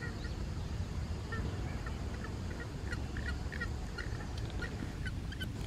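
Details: Several Grey-headed Swamphens (Porphyrio poliocephalus) at Dodda Begur Kere lake, Bangalore, India, 28 November 2020, give short, harsh clucking notes in scattered bursts over a steady low rumble of wind.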